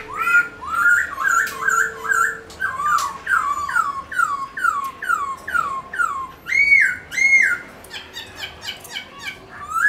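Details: Black-throated laughingthrush singing while dancing in captivity, for prompting pet birds to sing; a long steady run of looping slurred whistles roughly twice a second, broken by higher clear whistled phrases.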